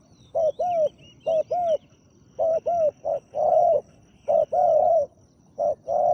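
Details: Big-voiced spotted dove cooing while used to lure a wild dove: short paired hoots mixed with longer, wavering drawn-out coos, irregular spacing, light chirping of other birds in the background.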